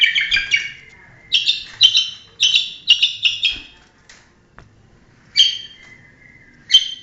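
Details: Long-tailed shrike, a champion competition bird, delivering clusters of harsh, buzzy stacked notes in quick bursts, separated by short pauses, with thin whistled tails after some phrases.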